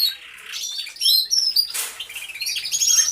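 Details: Canaries singing together in an aviary, captured by a hidden camera: scattered high whistled notes and short sweeping trills from several birds, with a brief burst of rustling noise midway.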